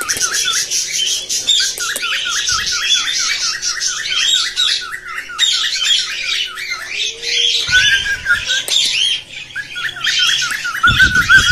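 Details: Cockatiels making mating sounds meant to stimulate singing: rapid, repeated rising chirps about four per second, over a dense wash of harsh squawks and twitters from several birds.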